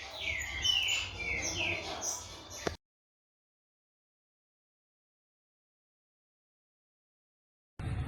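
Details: Sixteen-month-old green-winged saltator, a caged tournament bird in Brazil, gives a quick series of falling whistled notes for under three seconds. A sharp click cuts it off, followed by a long silence.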